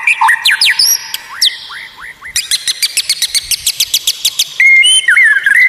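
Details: Unusual white-rumped shama song: sharp rising whistles, then a rapid run of high clicking chips about five per second, ending in warbled whistles.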